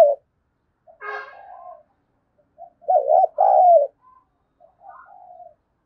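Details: Spotted dove coo for stimulating doves to coo faster: a faint rasp and soft coos, then a loud two-part coo with a quavering first note, followed by quieter coo fragments.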